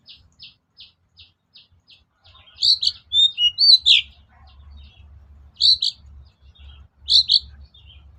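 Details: Long-tailed shrike lure song: a run of soft, evenly spaced high ticks that gives way to varied squeaky, chattering phrases with short whistled notes, while a low hum continues underneath.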